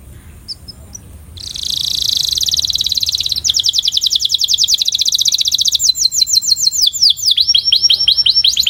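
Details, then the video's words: Canary song for song training: a dense high buzzy trill, then a fast rolling trill, followed by falling whistled notes and rising sweeps. "Som de Puxada Para Aprimorar o Canto"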